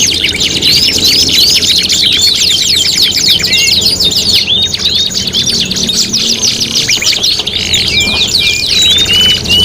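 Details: Tutoring recording of canary song for contest birds, five in one: long stretches of rapid high trills and scratchy chirps, closing with a few drawn-out level whistles.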